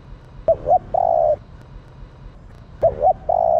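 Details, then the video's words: Female spotted dove calling to stimulate males. Two repeated phrases, each a quick pair of hoots and a sustained, even coo, in a quiet setting. "Tiếng Cu gáy mái kích trống căng lửa"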